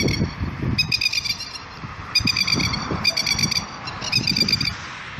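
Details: Masked lapwing (Vanellus miles) alarm call, given by a bird with its family to protect a chick: four bursts of harsh, rapid, rattling high notes, each about half a second long, over low rumbling wind.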